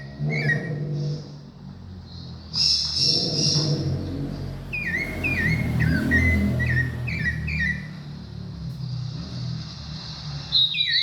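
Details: Thrush (sabiá) singing: short clear whistled phrases, some slurred downward, come in bursts after the first few seconds, over a steady low rumbling background.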